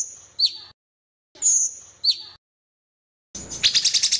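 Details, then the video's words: Sooty-headed bulbul in a tutor recording of song variations with pauses: two high drawn-out whistles, each ending in a quick downward slur to a lower note, separated by silence, then a rapid buzzy chatter of repeated notes begins. "Cucak Cungkok Masteran Variasi dengan Jeda"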